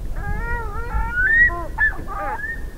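A Pacific Loon gives a wailing, yodel-like call: rich harmonic notes that rise and break into quick, higher-pitched yelping phrases over about three seconds. There is a low rumble underneath.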